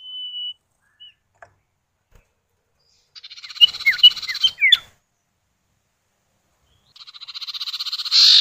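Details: Common iora (sirtu or cipow) male and female exchanging calls, used to draw birds into calling: a level whistle, quiet pause, then a buzzy rattle threaded with short falling whistled notes, and a rising rattling trill at the end.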